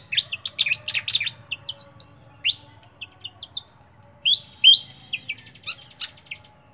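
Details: Clear-voiced flycatcher kept in a cage, delivering a busy run of high, rising and falling chirps, then a buzzy trill overlaid with sweeping whistles near the end.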